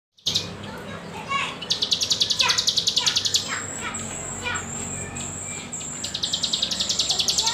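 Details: Common iora song used as a tutor for juveniles still learning their song; high rapid trills of sharp repeated notes alternate with whistled sweeps and longer, steady high whistles.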